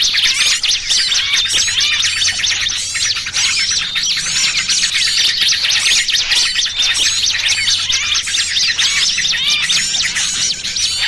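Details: Lure sound for trapping small birds, a frantic massed chatter of many birds at once: sharp high chips and squeaky slurred notes crowd together in a constant, busy wall of sound with a faint low hum.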